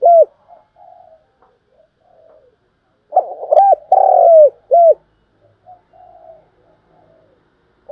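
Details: Decoy spotted dove kept for trapping, giving its calling coo: soft low murmured notes, then a loud phrase of short hoots, a long falling coo and a final short note, followed by more quiet murmurs.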